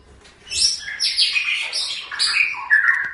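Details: Long-tailed shrike song from a training recording made for other songbirds: a varied run of bright whistled and slurred notes, high phrases dropping to lower, sweeter whistles near the end.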